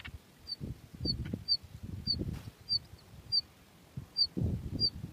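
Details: Two very hungry bush lark chicks in the nest give thin, very high, short peeps, about ten in five seconds, over soft low fluttering and rustling.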